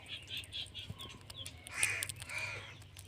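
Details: Rose-ringed parakeet (Indian ringneck parrot) giving harsh, grating squawks, three quick ones in the first second, then a louder ragged burst, over a low steady hum.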